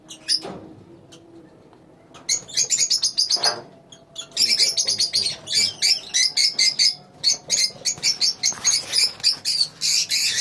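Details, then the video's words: Several lovebirds in a colony chattering: sharp, high twittering notes, sparse at first, then packed into busy repeated bursts of shrill squeaks. "Love bird colony"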